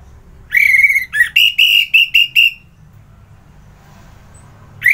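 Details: Orange-headed thrush phrase: one drawn-out whistle, a short low slur, then a rapid series of crisp repeated whistled notes, followed by quiet and the start of another note.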